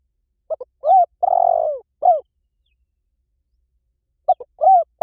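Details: Spotted dove lure call for drawing wild doves in quickly in any forest: two short clipped notes, a rising coo, a long burred falling coo and a final coo. The phrase repeats after a pause, against silence.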